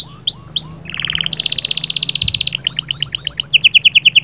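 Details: Canary trilling to prime a female: three loud rising whistles, a brief low buzz, then a long rapid even trill breaking into quick chattering double notes and a faster bubbling run.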